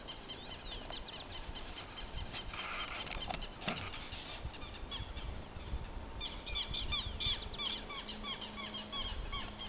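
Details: A family of double-striped thick-knees in a Bogotá wetland (Humedal la Conejera) defending nests and chicks from a black vulture gives loud, harsh alarm notes, building into rapid repeated chatter, over wind and a brief rush of wingbeats.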